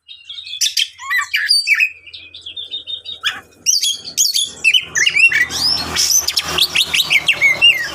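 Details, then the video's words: Agitated champion Oriental magpie-robin delivering a dense, varied run of whistles, sharp upward sweeps and rasping notes, becoming more crowded and hissy toward the end with a low rumbling background. "Suara Kacer juara"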